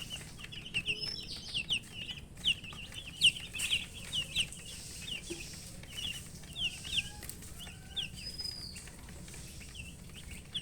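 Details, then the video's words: Baby chickens, coloured chicks wanting water to drink, give busy clusters of high, falling cheeps in uneven bursts. Several birds call at once, with occasional scratchy rustling and soft knocks. "Murgi chicks Chirping sounds"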